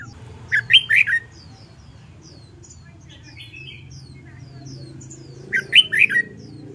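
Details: Red-whiskered bulbul in contest-song training, a caged wild-caught bird: two loud rich warbled bursts several seconds apart, with faint high chirps of other birds between them and a soft low hum.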